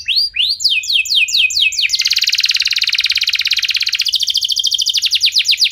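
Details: Canary singing to stimulate other canaries: a few slurred descending whistles lead into a long, fast, rattling trill of tightly repeated notes that lowers slightly, then rises back into quick sweeping phrases.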